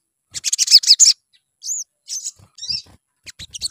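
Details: Sunbird song used as a lure to make birds sing actively: bursts of very high, thin chirps and twittering notes in quick clusters, a brief rising-falling whistle, and scattered short tweets, with faint low thumps beneath.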